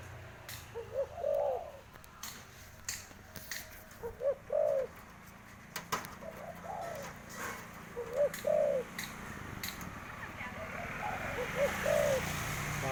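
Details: Tame spotted dove, handled and playing with a hand, cooing in repeated low phrases of two or three soft, rounded notes every few seconds, with clicks and taps between them.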